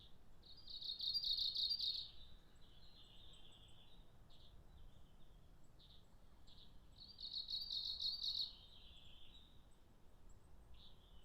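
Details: Japanese leaf warbler in Japan singing two bursts of rapid, buzzy, high repeated phrases about six seconds apart, with a few short notes between and a low background hum.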